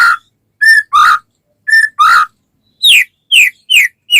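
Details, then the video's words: White-rumped shama song meant to spur other shamas to sing: clear flat whistles alternating with loud descending slurs, followed by four bright downward-swept whistles spaced about half a second apart. "suara burung murai batu gacor sangat cocok buat pancingan murai batu agar cepat bunyi ikut gacor"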